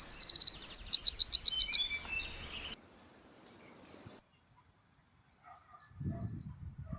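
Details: Morning bird chirping: a quick, evenly spaced trill of bright high notes for about two seconds, followed by quiet with faint distant sounds and a brief low rustle near the end.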